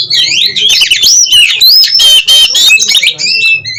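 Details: Oriental magpie-robin in energetic 'konslet ngobra bukor' song used to calm breeding drive and emotion: very loud, tumbling mix of sweeping whistles, rasping bursts and crackling notes with almost no pauses.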